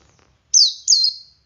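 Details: Male Oriental white-eye in 'ngalas' song used to coax other white-eyes to sing; two high, sharp downslurred whistled notes with trailing tails, clean background.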